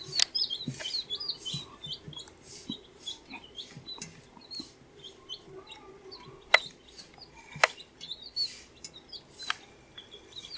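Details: Baby chicks, 14 days old, peeping in a group: short high chirps and rising-falling whistled notes, some overlapping, with scattered clicks and scratching sounds and occasional low clucks underneath.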